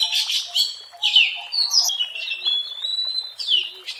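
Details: Wild Oriental magpie-robin in vigorous song, used as a lure for attracting birds: varied high whistles and slurred phrases with harsher chattering notes, bursts roughly every second with short pauses between.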